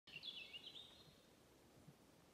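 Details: A European robin sings at Galten, Njurunda, on 10 June 2021, a brief, high, thin phrase of twittering warbled notes lasting under a second, then fades against a quiet rural background.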